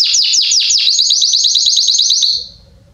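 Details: Belgian canary singing hard, a bird used as a song tutor for young birds: several falling swoops lead into a fast even trill that stops abruptly, leaving near silence.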